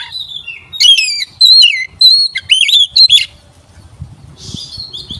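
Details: Magpie-robin song played as a lure to stir other magpie-robins: a rapid run of loud, sharp, high whistled notes and slurs, then a softer fading phrase over faint low background noise.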